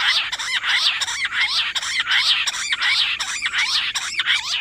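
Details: Nonstop chorus of rock bush quail (jungle battair) on 18 July: loud, squawking notes repeated about eighty times a minute, each with a quick downward and upward sweep, overlapping so the sound never stops.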